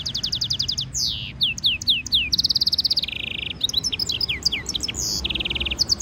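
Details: European goldfinch mule, a hybrid, singing a training stimulation song: fast buzzy trills of repeated notes alternate with sweeping downslurred whistles and steady high rattles, one phrase running straight into the next.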